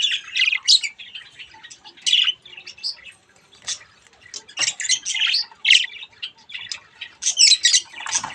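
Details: Baby budgies having fun at a mirror: busy, scratchy chatter of short squawks and chirps, irregular and overlapping, with softer twittering between the louder notes.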